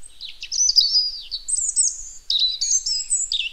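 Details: Robin singing a rapid run of high, thin, warbled phrases with sliding whistles and trills, separated by brief pauses, in clear unbroken sequences.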